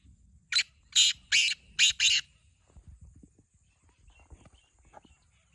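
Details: Black francolin giving its harsh, scratchy call, five rasping bursts in rapid sequence over under two seconds, followed by faint clicks and low background rustling.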